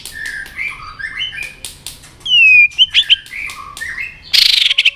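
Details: White-rumped shama spurred into fight-singing: soft warbled notes, then a loud clear down-slurred whistle, a few sharp chips and a harsh rattling burst at the end.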